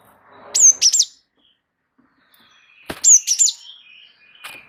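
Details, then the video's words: Wingko Java sparrow singing a rolling tutor song: two short bursts of ringing, high-pitched clipped notes, each a tight run of three or four chips, with faint soft twitter between them in an otherwise quiet setting. "gelatik wingko gacor ngeroll pancing bunyi suara masteran burung gelatik"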